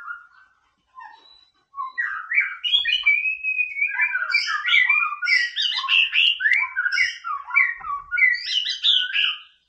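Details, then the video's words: White-rumped shama singing as masteran to provoke a rival: a few soft whistles, then a long, dense, varied outpouring of warbled, twittering and slurred whistled phrases. "MASTERAN MURAI BATU GACOR"BOOMERANG "COCOK BUAT NAIKIN EMOSI LAWAN"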